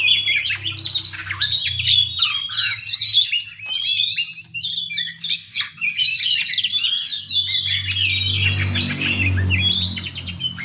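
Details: Oriental magpie-robin in a competitive fighting song at fast, close pace. Rapid, varied whistled phrases, harsh squawks and chattering trills pour out almost without breaks. A steady low droning hum is heard beneath throughout, growing stronger near the end.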